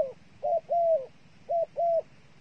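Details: Dove used as bait calling two pairs of coos, each a quick clipped note then a longer flat-topped one, separated by a brief silence.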